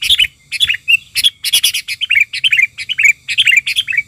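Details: Agitated Sooty-headed bulbul used as a decoy to lure wild bulbuls chatters in fast bursts of bright, bubbly chirps, several every half second, with no other clear sounds; Sooty-headed bulbul.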